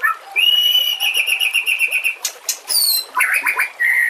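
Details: White-rumped shama song used to train other birds, set against nature sounds and trickling water. A long, high, pulsing whistle holds steady for two seconds, then comes a sharp noisy burst and a quick jumble of twisting whistled notes.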